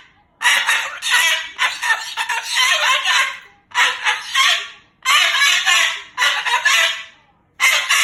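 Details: Cross Moluccan cockatoo talking loudly to its owner, perhaps wanting to go home: six separate harsh, strained shouted phrases, each about a second long, with clean silent gaps between.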